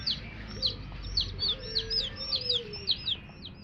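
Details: Several baby chicks beside a hen cheep together: rapid overlapping high descending peeps throughout, over a low drawn-out tone and a noisy rumbling background.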